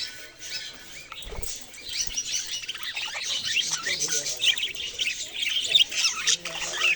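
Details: Budgerigars chirping, starting quieter then building into thick, overlapping high chatter with sharp squeaky accents and scratchy warbling toward the end.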